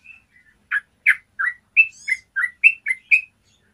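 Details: Yellow-vented bulbul singing in the long-trill ropel panjang style, a clear-voiced master recording for training other bulbuls to sing; about ten short, liquid, bubbly notes, roughly three per second, alternating in pitch, with faint higher chirps and an otherwise quiet background.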